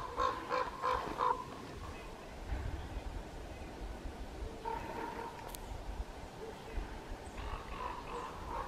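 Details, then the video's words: Common Ravens calling over a forest with a feeder on a sunny, clear, frosty March morning at -26 degrees, jays, magpies and hooded crows alarmed. A quick run of four harsh, harmonic calls, then a single call later, amid faint background hiss. "Сегодня я слушала голоса воронов и следила за их полетом."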